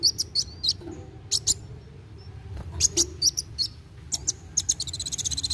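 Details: Energetic kolibri wulung sunbird in fast narung song, meant to get young birds singing: scattered sharp high chips and short whistles, ending in a fast, tight high trill, over a faint low hum.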